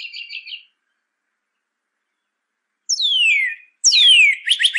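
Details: Song of a northern cardinal for teaching pet birds: a brief rapid trill, silence, then long clear whistles sliding steeply down from high to low pitch, with a quick trill at the end.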